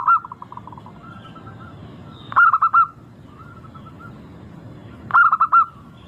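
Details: Local zebra dove played as a lure to set other birds singing: soft cooing phrases, each a quick burst of four or five rolling coos near one pitch, repeated about every two and a half seconds with quieter echoing coos between.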